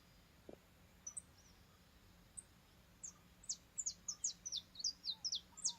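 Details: Saffron finch in a rural backyard: scattered high thin notes, then a quickening run of short, sharp, steeply down-slurred chirps, about a dozen in the last three seconds, over a faint steady low hum.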